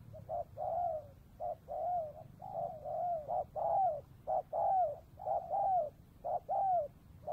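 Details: Loud, close spotted dove near the Cambodian border in the afternoon, during trapping of wild doves; brisk run of clipped notes alternating with longer falling coos, about one per second, over a faint low hum.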